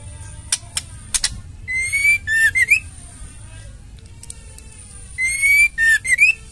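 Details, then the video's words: Female white-rumped shama, played to rouse reluctant males into song: two phrases about three seconds apart, each a long rising whistle, a falling slur and buzzy, upward-flicking notes, with a few sharp clicks before the first. "Murai betina | Murai batu betina gacor terapi ampuh trotol & jantan macet bunyi"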